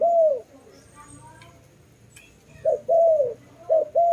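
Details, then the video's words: Dove cooing: a low, smooth, slightly falling coo, then after a pause a quick burst of three more coos. The room is otherwise quiet. "Lovely dove/ lovey sounds"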